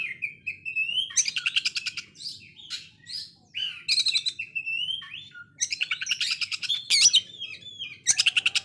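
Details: Oriental magpie-robin giving rough, machine-gun-like rapid bursts compared to a sewing machine, interleaved with rising whistles, sharp chips and stuttering rattles, delivered continuously.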